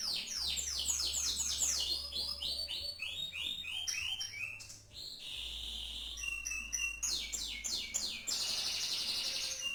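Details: Canary pouring out song modelled on a celebrated champion bird: a cascade of quick descending whistled sweeps, short pure tones and a harsh chattering rattle, backed by a low steady hum.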